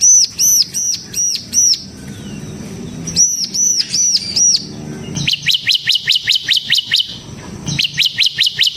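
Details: Ciblek semi, a bar-winged prinia, in 'ngebren' song used as a lure and tutor: arched, ringing high notes in short groups, then a rapid, steady series of shrill clipped notes.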